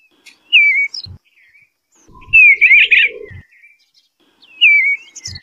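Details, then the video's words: Eastern bluebird delivering three soft warbled phrases about two seconds apart, the middle one longest and most tumbling, each gently falling in pitch; low knocking thumps between phrases. "Eastern Bluebird Call The Melodious Song"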